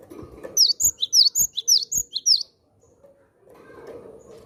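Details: Javan sparrow, a lively caged bird used to call in wild Javan sparrows, giving a rapid run of about ten sharp, high chipping notes over two seconds, then quiet with faint low room noise.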